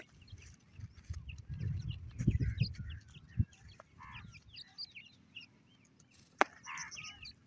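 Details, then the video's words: Several partridge chicks cheeping, with brief high notes scattered throughout, a few fuller downward-curving calls near the end, and low rumbling handling noise in the first half. "partridge chicks sound,pheasant titer chicks voice"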